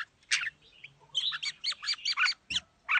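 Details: Forest-voiced red-whiskered bulbul in đá lân song, pouring out a dense run of bright, chattering whistled phrases after one loud opening note, with faint low hum beneath.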